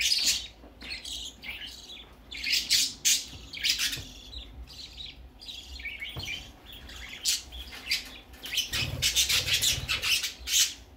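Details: Young budgerigar out for the first time, giving busy runs of harsh squawks and chirps, growing denser and louder toward the end, with a low thump midway.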